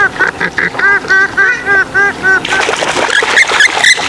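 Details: Swamphen giving a fast series of nasal, rising-and-falling honks, about four per second, followed by a noisier jumble of overlapping squawks from several birds.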